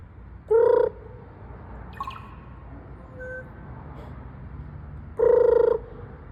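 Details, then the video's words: Raven giving strange, alien-like calls: two loud, drawn-out, nasal tones about half a second each, several seconds apart, with a brief softer squeak and faint notes between them over low background rumble. "Raven making Alien noises"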